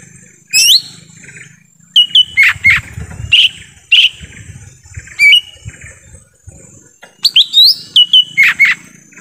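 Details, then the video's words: Lesser green leafbird in forest, played to attract wild birds: clusters of sharp, high whistled notes with downward slurs and doubled chips, arriving in bursts every one to two seconds. "suara asli pikat cucak ijo mini di hutan"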